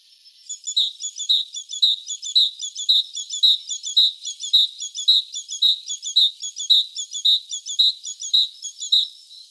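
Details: Singing great tit (Parus major) repeats a bright, high two-syllable motif roughly every half second. The phrases are evenly spaced and insistent over a faint hiss.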